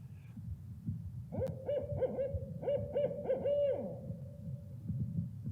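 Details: Barred owl (Strix varia) hooting its rhythmic, low-pitched 'who cooks for you, who cooks for you-all': about three seconds of deep, hollow hoots ending in a drawn-out falling note, over low room rumble.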